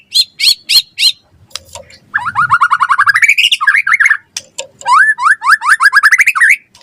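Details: Gacor song from a white-rumped shama, used to lure and tutor other shamas: four loud chirps, a fast run of rising repeated notes, twisting whistles, then another quick series of upward-swept notes.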